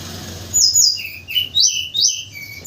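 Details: White-crowned forktail, used as a morning lure sound, calling actively: thin, very high whistled notes, several sliding downward and others short and level, given in quick irregular bursts over faint low background hum.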